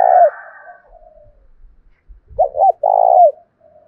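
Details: Spotted dove 'thổ' voice challenge coo for provoking wild doves and decoys: one low phrase of quick doubled notes into a drawn mellow coo, preceded by a fading coo ending and a faint low rumble.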